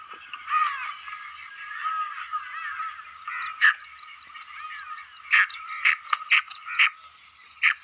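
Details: Female black francolin calling: a busy, scratchy stretch of thin wavering notes over a steady high hiss, then sharp harsh clicks repeated in a quick group near the end, with one more loud note at the close.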